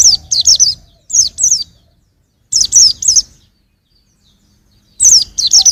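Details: A young white-eye gives short phrases of two to four high, slurred, downward chirps, separated by silences of up to two seconds.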